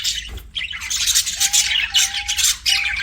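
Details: Pet budgies squawk and chirp in bursts of harsh high chatter, while a faint steady low whistle-like tone runs beneath for part of the time.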